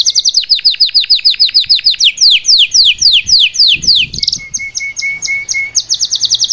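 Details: Salsa canary singing live to teach its young: rapid repeated high downward-slurred notes, slowing into longer sweeping syllables, then a thin sustained whistle under fast chips and a closing quick trill.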